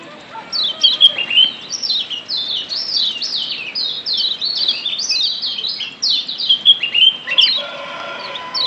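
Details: Yellow white-eye from Lombok, said to be wild, used as a lure for active singing; continuous twittering of high, downslurred chirps in close series, with a brief gap and a faint lower tone late on.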